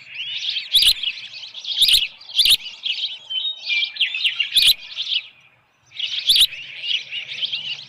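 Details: At Dunrovin Ranch, an osprey on the nest with a headless fish, 6:41 PM, 10 June 2018, gives clusters of shrill whistled chirps, some with slurred notes, broken by a short silence and sharp knocking sounds.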